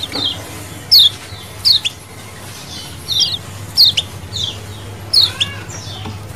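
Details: Lemon-bellied white-eye colony chirping meant as a lure, wild-style: bright, high, falling 'ciak' notes come in spaced clusters about every second, with fainter chirps between and a low constant hum beneath.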